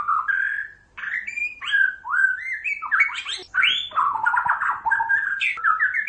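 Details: Continuous rich song of a vigorously singing white-rumped shama, meant to lure other shamas into answering: rapid cascade of sliding whistles, upslurs and downslurs with scratchy high notes woven through, barely pausing.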